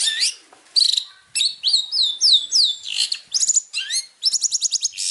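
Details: Long-tailed shrike, recorded as a master song for training competition birds: lively mix of harsh notes, sweeping slurred whistles and quick stuttering repeated chips, loud and high-pitched throughout.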